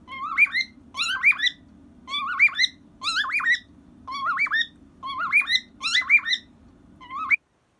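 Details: A pet cockatiel, aged 23, sings happily to a soft cockatiel toy. It gives whistled, warbling phrases that rise and twist, repeated roughly every second, over a steady low indoor hum.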